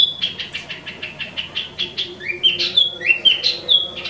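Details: Wambi Mini (Tieu Mi), imported, sings a string of short, evenly spaced clear notes about three per second, then breaks into louder, swooping whistled phrases.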